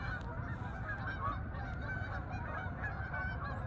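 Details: Geese moving to the fields over Farmington, Connecticut meadows: overlapping honks, somewhat softer, laid over a strong low-frequency rumble of background noise.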